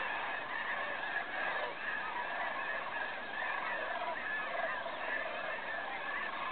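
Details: Huge flock of cranes arriving at roost at Bosque del Apache National Wildlife Refuge during the 2011 Festival of Cranes, a continuous wall of overlapping trumpeting, rattling calls with no pauses.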